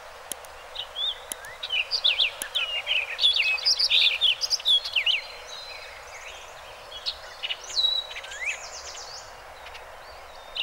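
An Orchard Oriole sings a fast, jumbled run of bright whistles, chattery notes and slurred upward and downward phrases, pausing briefly before a final burst.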